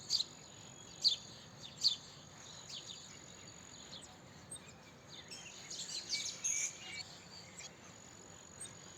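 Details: House sparrow: three loud, clipped high chirps at the start, a quiet pause, then a softer jumble of rapid chirps and chatter before fading.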